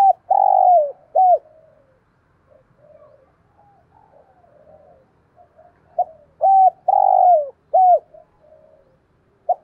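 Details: Decoy spotted dove with a deep voice, cooing to lure wild doves for trapping: loud, clear mid-pitched coos in short bursts, a first group then a pause with soft murmurs, and a second run of three or four coos near the end.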